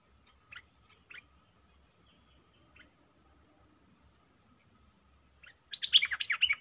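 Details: Caged lure streak-eared bulbul calling to draw in wild birds. After several seconds of faint scattered notes, a loud burst of rapid, tumbling chattering notes breaks out at the end. A steady high insect whine runs throughout.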